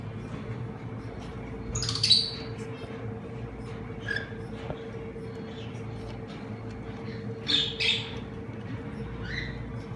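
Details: A semi-adult cockatiel pair in Madurai gives a few harsh, screechy squawks in two short bursts several seconds apart, over a steady electrical hum and low background noise.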